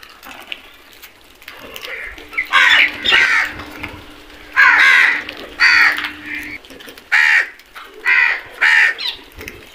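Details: Flock of crows gathered at food, giving harsh, loud caws in bursts, several overlapping, about eight calls in ten seconds with a steady low hum underneath.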